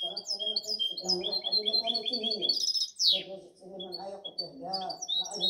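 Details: Goldfinch hybrid recorded 2019–2020 singing varied high twitters and short whistled phrases, climbing into a dense trill and a harsh descending sweep around the middle, then more chirping, with a person speaking Spanish throughout.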